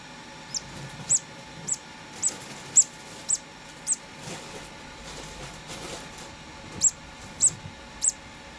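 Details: Two-day-old conure parrot chick being hand-fed, giving about eleven very high, thin, sharp peeps spaced roughly half a second apart, with a quieter stretch in the middle and faint low background rustling.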